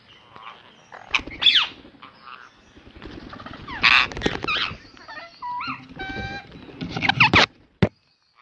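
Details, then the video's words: Pet ringneck parrot giving a varied run of sounds: short harsh squawks, a burst of buzzy notes, then a series of clear stacked whistles and a final loud squawk before silence. "Ringneck parrot"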